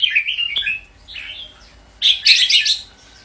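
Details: Red-whiskered bulbul singing two bright, warbled phrases, a quick rising-and-falling chatter at the start and a denser, louder burst of slurred notes after a pause, with a faint tick between.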